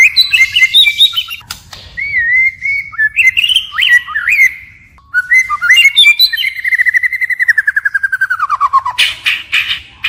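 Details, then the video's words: White-rumped shama singing in forest style, switching phrases continuously: loud varied whistles, slurred and chattering notes, then a long fast descending trill, followed by harsh rattling notes. "Chích chòe lửa hót giọng rừng hay đảo giọng liên tục"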